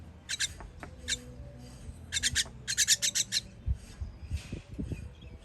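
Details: Nestlings begging during feeding, 21.06.23: raspy, broadband squeaks pulse rapidly in runs of four to six, the densest burst mid-way, then fading into soft low rustling and thumps.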